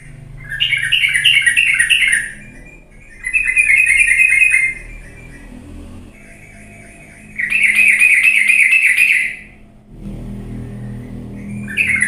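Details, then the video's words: Sooty-headed bulbul lure recording meant to get lazy birds singing. Rapid buzzy trilled bursts of about two seconds come in three bouts separated by pauses, with a low background hum. "pancingan trucuk yang malas jadi ikut bunyi gacor galak"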